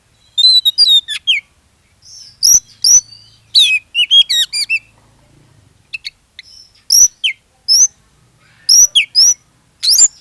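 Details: Oriental magpie-robin (kacer) in full song, used as a lure to set other magpie-robins singing: loud, varied whistled phrases with sharp rising and falling notes, high chattering bursts, separated by short silences.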